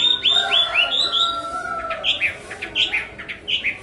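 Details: Chinese hwamei (họa mi) song opening with a quick series of upward-slurred whistles, followed by scattered loud, short whistled notes over a faint steady lower tone.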